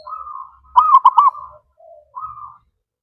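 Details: Zebra dove kept as a pet, sung as a lure for other birds: gentle hum, then three fast, rounded rolling coos, and a final soft trailing note.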